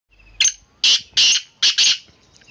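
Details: Black francolin calling: a quick series of five harsh, grating, high-pitched notes within about two seconds, the last two run close together, in a quiet setting.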